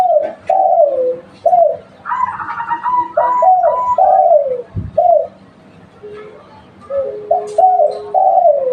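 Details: Spotted dove of local stock, used as a lure, cooing steadily in hoarse, downward-sliding notes grouped in twos and threes. A higher buzzy overtone-rich coo joins briefly, followed by a soft thump and more coos.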